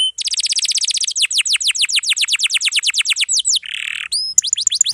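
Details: Canary song used as a master recording for training young or silent canaries: long dense runs of fast descending buzzy notes, a nasal buzz, then a clear upward whistle and more rapid falling notes.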